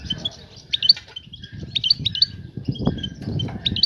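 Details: Female European goldfinch calling to attract a male for mating and nest building; short high chirps and twittering notes in brief bursts, with low rumbling handling noise and a faint voice underneath.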